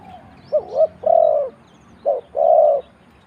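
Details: Spotted dove in Thailand giving low, mellow coos in two phrases, each a short wavering note leading into a longer sustained coo, with a brief pause between phrases.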